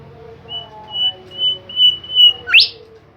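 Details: Bimoli bird singing vigorously: a run of clear, high whistled notes on one steady pitch, about five in a row, ending in a sharp upward-sweeping squeak, over a low steady hum.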